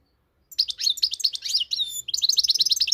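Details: Moroccan goldfinch, the European goldfinch, singing a lively, high twittering phrase: varied chirps and short slurred notes, a brief whistled glide, then a fast, even run of bright repeated chips.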